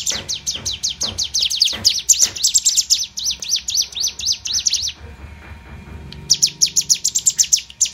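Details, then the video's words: A Sunda warbler learning competitive singing gives fast, thin, high-pitched notes in rapid bursts of about five a second, pauses briefly, then resumes over a faint background hum. "Cigun belajar tarung"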